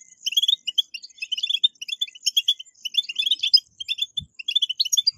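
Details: Goldfinch batbatat twittering meant to encourage caged goldfinches to sing: fast liquid chirps repeated in tight clusters, steady and high-pitched, with no other sounds.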